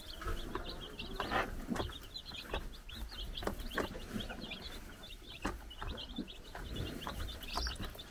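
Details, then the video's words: Four-day-old baby chickens run about on a Czech farm under a watching brood hen, giving dense high, short peeps over and over, with scattered low knocks and scratching sounds throughout. "Our New Cute Baby Chickens Running Around and Chirping"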